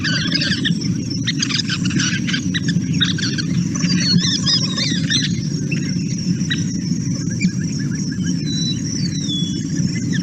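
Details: Scissor-tailed Flycatchers talking to each other in a jumbled run of high squeaks, buzzy purrs and thin whistled notes, over a steady low rumble of wind or traffic.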